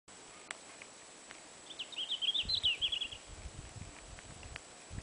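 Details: Red-flanked bluetail, a singing first-summer male near Ruka, Finland, on 13 June 2007: one short, high warbled phrase of quick twittering notes lasting about a second and a half, with soft low thumps and rustling nearby.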